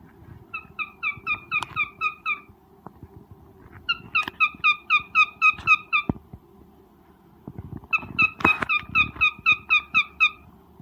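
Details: Cockatiel mating call during breeding: three bursts of rapid, evenly spaced harmonic chirps, about four per second, each burst lasting roughly two seconds, with scattered sharp clicks and knocks in the background.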